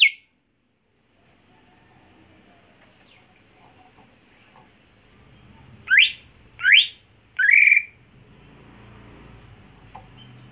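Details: Home-kept greater green leafbird, raised for contest, breaks a quiet stretch with three loud steeply rising swept whistles about two-thirds of a second apart, the last one longer and buzzier, over faint background hum.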